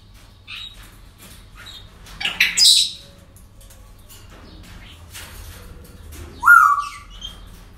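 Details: Parrots at a breeding centre on an ordinary day: soft calls, a burst of harsh squawks, then a loud rising whistle that levels off, against background rustling and a low hum.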